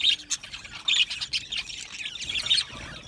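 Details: Soft budgie chatter: quiet raspy squawks and short high chirps scattered irregularly over faint background noise.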